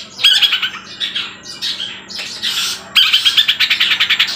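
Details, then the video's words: Long-tailed shrike mimicking other sounds in loud song: bursts of harsh squawks and twittering, a brief pause, then rapid scratchy chatter with thin whistled notes. "Cendet Trotol sudah bisa bunyi kuntilanak Tengkek Buto gacor"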